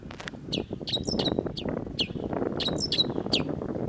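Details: A long-tailed shrike sings sharp, high, downslurred notes about twice a second, some doubled into quick chattering pairs, over a low background rumble.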